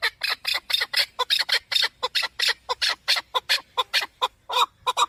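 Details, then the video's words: A male partridge, recorded for hunting use, gives a rapid string of bright, raspy clucks, several each second, with a few lower notes at the end. "Овози кабки шикори Keklik avi Partridge صوت ذكر الحجل للصيد اواز کبک"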